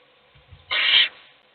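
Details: Single loud, breathy owl hiss lasting under half a second, preceded by faint low scuffling, as an adult owl feeds a chick while the other young sleep.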